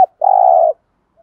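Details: Spotted dove in 'thúc gù' lure cooing meant to make wild doves answer: one sustained, buzzy, even low coo of about half a second, preceded by a brief clipped note.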